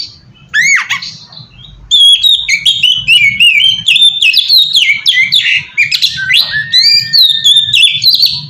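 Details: Oriental magpie-robin lure song to attract other magpie-robins: a sweeping downslurred whistle, then a long, loud run of varied whistles, trills and chatters over a low humming background.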